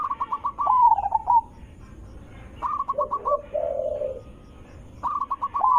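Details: Zebra dove with a melodious song for drawing other zebra doves to answer; repeated bursts of fast staccato coos, one phrase sliding into a lower purring note, separated by brief pauses.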